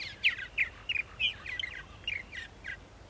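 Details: Purple martins on Long Island at Center Moriches, New York, at 8:30 in the morning, April 14, 2012; a string of rich, throaty chirps, about three per second, some doubled, over quiet background.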